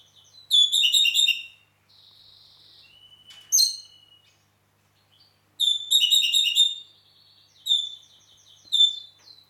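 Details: Red-rumped parakeet song from Heraklion, Crete: two bursts of fast, bright warbling trills, a thin steady whistle between them, and sharp rising chirps scattered through the sequence.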